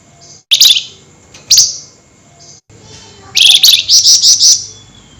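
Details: Flameback calling at night in a highly agitated 'nyerecet' style: sharp, high chipping notes, then a fast rattling run of about seven bright, evenly spaced notes near the end.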